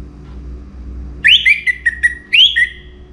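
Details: Orange-headed thrush (anis merah) from North Bali, Singaraja, singing before morning; two loud whistled phrases, each a rising slur followed by short fluty notes, separated by a brief pause, faint low background hum.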